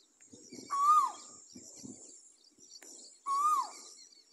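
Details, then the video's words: Asian koel (koyal) singing: two loud whistled notes, each held level and then sliding downward, spaced about two and a half seconds apart, with faint low rustling sounds in between. "Koel Bird Sound 4k| Koyal ki awaz| koyal bird singing sound"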